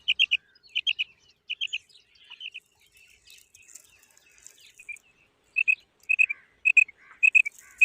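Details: Female quail uttering sharp, high paired notes in rapid couplets, a quieter stretch of faint chatter in the middle, then the couplets resume strongly about every half second.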